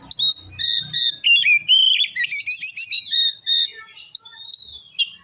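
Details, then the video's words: Oriental magpie-robin in ngeplong song aimed at provoking other magpie-robins: ringing whistles in quick succession, a sliding descending phrase, rapid chirps, then scattered sharp notes. "Suara Kacer Gacor Ngeplong Ampuh Memancing Emosi Kacer Lain"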